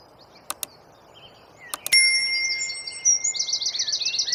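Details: Small wren singing a masteran training song in the rapid tembakan style, preceded by a few sharp clicks and a ringing ding-like tone, then a tight, fast series of high buzzy notes repeated several times a second.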